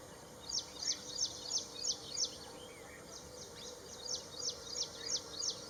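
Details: Ashy prinia giving a quick run of sharp, high clipped notes repeated about three times a second, pausing briefly midway before resuming, with a faint steady hum behind.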